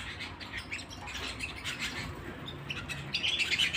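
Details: Canary singing at home: rapid chirps and short trills in a fast, uneven stream, with a brighter burst of high notes near the end over a faint low household hum.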